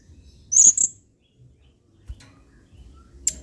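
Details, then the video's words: Adult male blue-crowned hanging parrot in 'main singa' song, a tutor recording for training other birds: a loud double shriek of thin, very high notes, then a lone sharp chip a few seconds later. "MASTERAN WAJIB !! BURUNG SERINDIT GACOR PENUH EMOSI MAIN SINGA."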